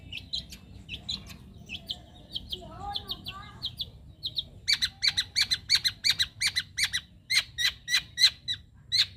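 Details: Young wild long-tailed shrike singing: varied chattering phrases of short high notes, a few lower wavering whistles, then a fast run of harsh clicking notes repeated several times a second.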